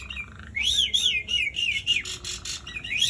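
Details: Asian pied starling in full, long rolling song, used to prompt silent starlings to sing; slurred whistled notes rising and falling, followed by harsh rasping bursts and a final upward-sweeping whistle.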